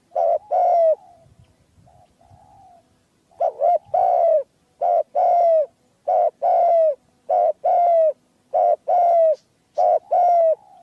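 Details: Spotted dove, described as having a rare, small and clear voice, used in hunting: rapid series of mid-pitched coos, paired short and long notes repeated about once a second, with faint rustling early on.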